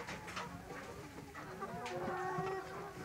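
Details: Flock of domestic layer hens kept for eggs or meat, giving soft, overlapping murmuring clucks and short, thin, rising calls against a steady, busy background hum.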